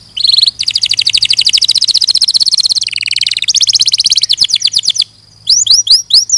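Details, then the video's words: Canary singing dense, fast trills of buzzy high notes, dropping to a lower rattling section midway, then a short silence and a few loud rising whistles. "Suara Burung Kenari"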